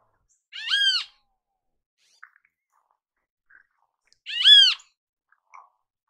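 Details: Great kiskadee in natural habitat: two harsh, buzzy, arched calls about three and a half seconds apart, with faint soft chips between them.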